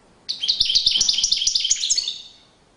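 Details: European goldfinch courtship song: a rapid, tinkling run of high twittering notes lasting about two seconds, fading toward the end, with light clicking beneath.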